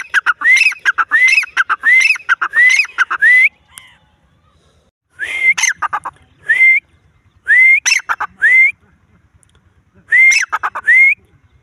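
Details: A wild grey francolin gives a run of rising whistled notes mixed with grating clusters, breaks off for over a second, then calls again in shorter, spaced phrases; faint low sounds between.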